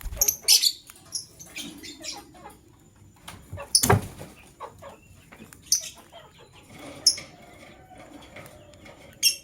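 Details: Lovebirds, described as a male choosing a partner, give shrill, harsh chirps in short scattered bursts a few seconds apart, over a quiet background with a soft rustle or wing flutter.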